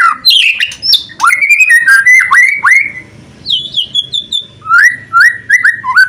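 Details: Loud white-rumped shama song used to provoke other shamas into singing, mixing sliding whistles and sharp downslurred notes, then a high pure whistle held briefly, and closing with repeated upswept whistles at a quick tempo.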